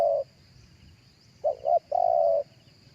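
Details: Spotted dove cooing live, recorded for playback through a speaker to lure other doves: a low, hollow coo, then two quick notes and a longer, drawn-out coo.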